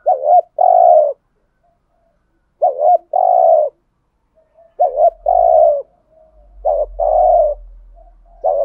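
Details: Cooing spotted dove used to lure wild doves: four repeated phrases of a quick double coo and a drawn-out croo, with a faint low rumble in the background toward the end.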